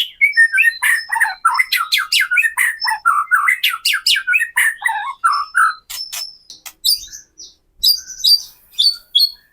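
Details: Kretekan song of a white-rumped shama, meant to rouse other murai batu into singing: a dense opening of fast, varied chattering and whistled notes, thinning later to scattered crackles and high thin whistles.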